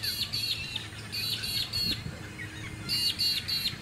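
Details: Comb-crested jacana at a small artificial lake on the Sunshine Coast, Queensland, March 2018. The bird gives high, shrill, squeaky notes in rapid groups of three or four, separated by short pauses, over a low hum of wind and suburban noise.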